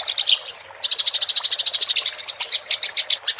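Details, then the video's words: Eurasian tree sparrow rolling chatter in fighting style, used to tutor songbirds: a few separate chirps, a thin rising whistle, then a quick, slightly uneven series of sharp chirps. "MASTERAN GEREJA TARUNG NGEROL suara jernih + jeda air"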